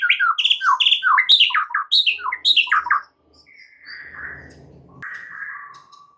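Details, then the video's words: White-rumped shama song used as a lure to make other shamas sing more and add to their repertoire: about three seconds of loud, varied, quick whistled and chattering phrases, then fainter buzzy, rasping notes. "PANCINGAN Murai batu untuk MEMIKAT murai lain AGAR GACOR dan TAMBAH ISIAN"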